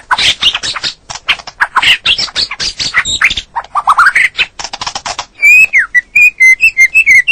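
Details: A male white-rumped shama sings in a tutor recording for a stressed bird that has gone quiet: scratchy, chattering phrases give way to a rising warble, then a bright series of clear, evenly spaced whistled notes.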